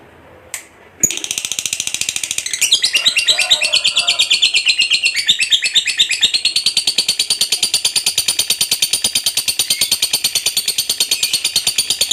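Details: Fighter lovebird in contest style delivering a long, unbroken chattering song: a rapid, steady stream of buzzy pulsed notes running for over ten seconds without pause.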